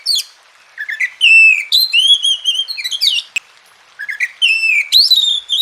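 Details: Masteran song of an Oriental magpie-robin intended to stimulate reluctant birds: varied loud whistles, quick chirps and sliding notes in a continuous run, a brief gap, then a renewed burst of bright phrases.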